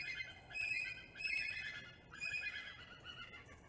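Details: Early morning bonding attempt by a wild bald eagle pair at their lakeside pine-top nest in Kisatchie National Forest, Louisiana, November 2021; three strong bursts of high, rich chittering calls about a second apart over a steady low hum.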